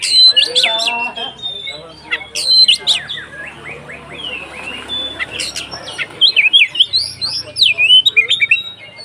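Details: Kacer (Oriental magpie-robin) in konslet ngeplong style as a lure for other kacer: mixed harsh chatters and whistled slurs, then a quicker string of swooping whistles, over faint background murmur and a low hum.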